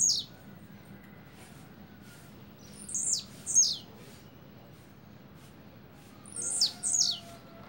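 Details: Double song of a blue-black grassquit, high buzzy downslurred notes delivered in close pairs, a pair near the start of the second half and another near the end, with faint background hum.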